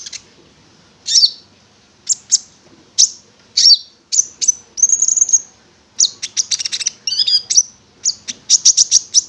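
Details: Konin (prinia) singing, used as a lure to prompt other konin to sing: sharp high chirps and short buzzy notes, a sustained whistled note near the middle, then rapid trilled bursts of repeated chips.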